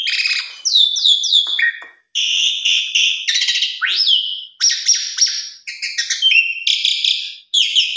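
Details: Energetic Asian pied starling song for training young birds: harsh rasping chatters alternate with bright downward-slurred whistles and one sharp rising whistle, phrases packed closely with brief pauses.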